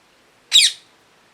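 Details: Parrot giving a single loud, harsh, raspy screech lasting about a quarter of a second, in an otherwise quiet setting.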